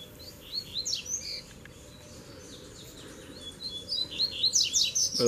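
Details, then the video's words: Double-collared seedeaters, three birds arriving at once to fight in a song duel; high, quick whistled slurred phrases in two bursts, at the start and again near the end, with a quiet pause between over steady low background noise. "VEIO 3 COLEIROS BRIGAR DE UMA VEZ SÓ DUELO DE FIBRA!!!"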